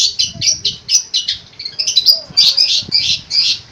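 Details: Cendet, or long-tailed shrike, rattling off quick scratchy notes that blend into a warbling, buzzy run of mimicked phrases.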